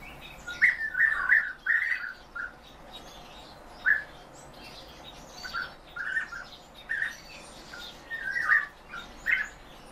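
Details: European bee-eaters held in captivity call repeatedly with liquid, purring trills, some notes bunched in quick runs and others spaced a second or more apart, over ten seconds in a quiet setting.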